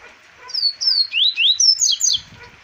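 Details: Double-collared seedeater recorded in Arapiraca, Alagoas, Brazil, in 2020; a clear whistled phrase of about seven slurred notes, the first ones falling in pitch, followed by brighter rising-and-falling notes, over a quiet background.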